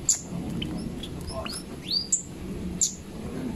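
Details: Zitting cisticola song of crisp, high-pitched single ticks spaced about a second apart, mixed with swooping chirps from other birds and a steady low hum.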